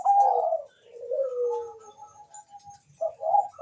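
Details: Zebra dove, Bangkok type, singing to encourage mating urge and song; rich gurgling coo, long slurred falling note, thin level notes, then more bubbling coos.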